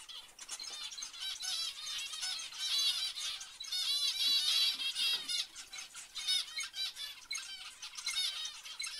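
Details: Loud zebra finch chorus of repeated nasal honks and beeps, densely overlapping, rising in intensity around four to five seconds.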